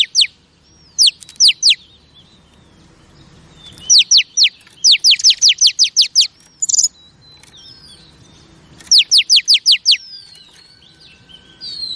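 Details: Female oriental magpie-robin voice used to stimulate male pet birds: bursts of fast, sharply falling chirps in groups of four to eight, separated by quiet gaps and a few soft whistles.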